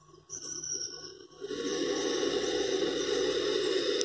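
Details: Black Vulture chicks at their nest give a steady, breathy hiss that starts after a quiet second and rasps on without a break, with a faint high whine behind it.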